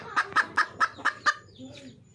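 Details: A wild red junglefowl hen calling for a mate gives six clear, evenly spaced clucks in just over a second, followed by faint low murmurs.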